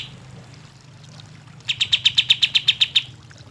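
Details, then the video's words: Olive-winged bulbul lure sound: a fast, regular run of about twelve sharp, high chips, roughly four per second, following a quiet stretch with a steady low hum beneath. "kapas tembak gacor"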